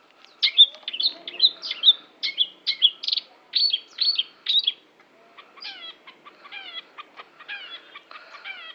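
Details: Long-tailed shrike singing a rapid series of loud, sharp, twisting notes about twice a second, followed by a softer run of thin, quick chirps and trills.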